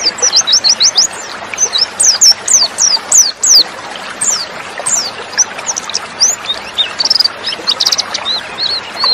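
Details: Female white-eye (pleci) calls used to provoke male white-eyes into singing, as in the wild: rapid, overlapping high thin chirps and downslurred tweets, several birds calling at once in a busy flurry with brief pauses.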